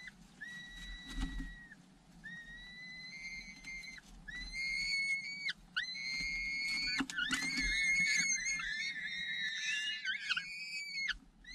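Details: Adult falcon back at the nest after hunting, feeding its chicks; a run of drawn-out, flat, strongly harmonic whistled cries, each about a second long, given in quick succession, over a low background hum.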